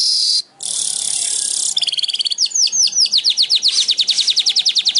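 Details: Weaver (manyar) begins with a loud, hissing sizzle, then shifts into a quickening series of high, bright chirps that sweep downward and grow steadily faster.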